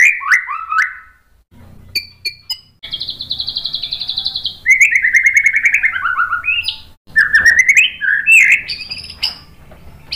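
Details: Tutor song of a White-rumped shama meant to provoke caged birds into full song: rich slurred whistles mixed with a long fast trill, rolling descending runs and sharp high notes, constantly changing.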